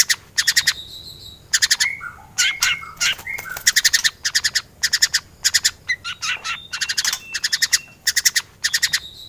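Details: White-rumped shama in full, varied song meant for training other birds to sing: loud bursts of rapid, buzzy, stuttering notes alternating with short clear whistles, repeated in quick phrases one after another, with no other sounds.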